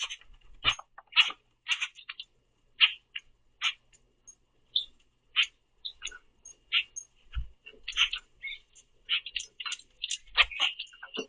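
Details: Common grackles argue over sunflower seeds at a backyard feeder, chasing and pecking; a steady stream of short sharp chirps and clicks, several birds overlapping, with occasional soft thumps.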